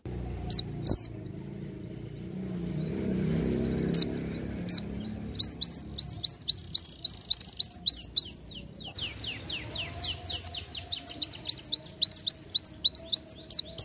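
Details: Oriental white-eye singing 'ngalas nembak', a style used to tutor songbirds: a few isolated high chips, then long fast streams of thin, high, downslurred twitters, nearly four notes per second, over soft low background hum.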